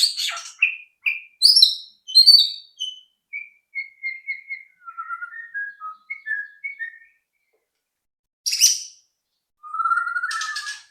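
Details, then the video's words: White-rumped shama lure song meant to trigger other birds into singing: a string of short, clear whistled notes drifting lower, a few higher chirps, a gap, then a buzzy burst and a sustained whistle. "pancingan AMPUH murai batu agar cepat bunyi"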